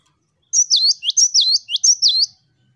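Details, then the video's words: Gelatik batu, the cinereous tit, singing hard in the 'wucit wucit' style used to train other birds: a clean run of four high, ringing two-part whistles, each dipping sharply and rising again, delivered rapidly and evenly. "GELATIK BATU Wucit wucit Gacor"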